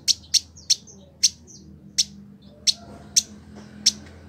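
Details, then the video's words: Captive Village indigobird from Bandung, West Java, Indonesia, cared for a year and singing keenly for bird training: sharp high piercing chips spaced about half a second apart, some followed by short thin whistles. "Village Indigo Gacor"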